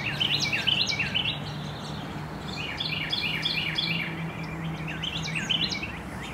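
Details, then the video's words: Carolina wren singing vigorously in the late afternoon, bursts of rolling repeated phrases separated by a short pause, with a constant low hum and light background noise. "A very vocal Carolina Wren singing in the late afternoon"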